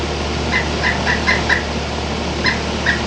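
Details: Pileated woodpecker giving a series of short, evenly pitched, clipped notes, about seven in three seconds with a slight pause midway, over a loud, steady hiss of background noise.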